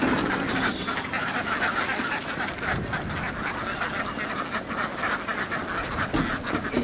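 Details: A flock of laying ducks in Vietnam, running across a field and down onto a boat, gives a dense, continuous chatter of overlapping rough quacks against a steady background noise.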